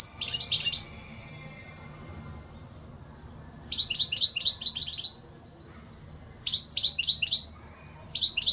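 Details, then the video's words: European goldfinch giving several bursts of fast, high twittering song with gaps of a few seconds between phrases, over a faint steady hum. "اقوا واجمل تغريد حسون"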